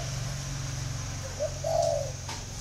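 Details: Spotted dove calling: a brief low cooing phrase of two soft notes arriving late in the clip, over a steady low electrical hum and faint background hiss.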